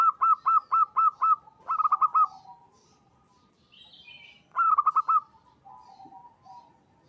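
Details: Local zebra dove, a keen caller used as a lure that draws other zebra doves to call; six evenly spaced coo notes, a quick rolled burst, a pause, then another rapid burst and soft coos.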